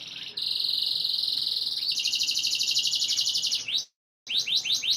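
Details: Canary song meant as breeding conditioning to stimulate females: a long, loud, rapid buzzing trill held steady, shifting to a higher pulsed roll after two seconds, then a short break and quick upward-slurred notes.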